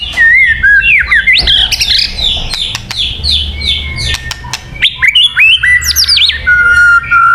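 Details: White-rumped shama song for luring birds, rich and varied: sliding whistles, quick chattering runs and sharp clicks, ending in a long steady whistle.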